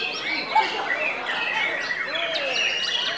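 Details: White-rumped shama of the type called murai matahari, singing hyperactively after a diet of pur and crickets: a busy, varied stream of whistles, sliding notes and chirps overlapping closely, with quick rising and falling phrases and a low swooping note.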